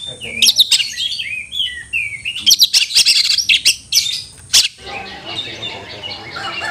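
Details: Kacer, the Oriental magpie-robin, calling out for a fighting rival: a rapid run of varied whistles, chirps and sharp clicks for nearly five seconds, then only a soft hiss.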